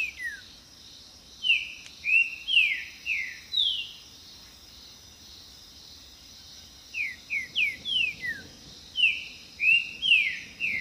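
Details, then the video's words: Green-winged saltator song, used for attracting partners, defending territory and communicating with others of its kind. Two bursts of loud, descending whistled notes are split by a quiet gap, over a steady high insect drone. "A HARMONIA DO TRINCA-FERRO"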